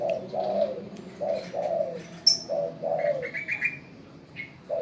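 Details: Trained spotted dove that coos on command: repeated paired coos, a brief note followed by a longer, slightly falling hoarse note, four phrases in five seconds, with a quick high trill and a click between.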